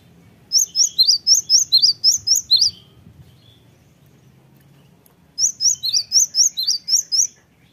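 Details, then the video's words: Cinereous Tit singing on a lure track for provoking other birds to answer: two rhythmic runs of about nine shrill, evenly spaced high chirps with a pause of nearly three seconds between them, faint low rumble beneath. "gelatik batu apapun 100% nyaut gacor dengan pancingan gelatik ini"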